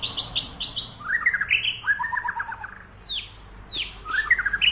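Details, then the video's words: White-rumped shama singing in training at Samadua police sector: varied clear whistled phrases, quick repeated chirps, a rapid trilled run and sharp downward-sweeping notes, over low background hum. "Latihan Murai Batu"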